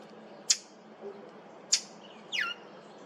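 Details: Brown thrasher at a cemetery, July 8, 2023, making an unfamiliar sound: two abrupt, harsh clicks about a second apart, followed by a brief downward-sliding squeaky note.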